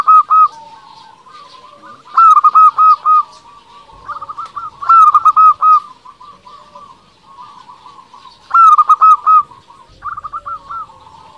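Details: Local zebra dove singing at full strength, played to stir rival doves to answer: bursts of soft cooing, stuttering notes in rhythmic phrases about every three seconds, with quieter murmuring coos between.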